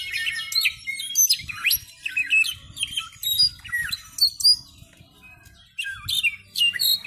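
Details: Brown-backed solitaire juvenile rehearsing a varied song: dense runs of high whistles, bright slurred upsweeps and quick descending flicks, loud bursts broken by a near-silent gap, then more ringing notes; soft low rumble underneath.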